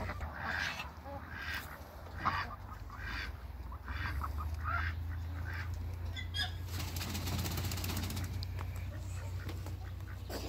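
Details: Four ducks, Pekin and hybrid mallards, give a scattered series of short nasal quacks and honks, irregular and overlapping, with a steady low hum and faint hiss behind.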